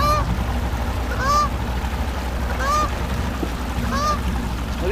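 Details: Canada goose that treats a boat as its own territory and objects to its use. It gives loud nasal honks about every one to one and a half seconds over steady broadband rumble and noise.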